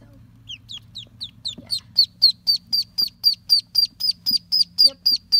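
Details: Orphaned ducklings, six of a brood that fell into a storm drain and are now hand-raised, peeping steadily: high, downslurred peeps repeated about four times a second, growing louder after the first second, over a faint low hum.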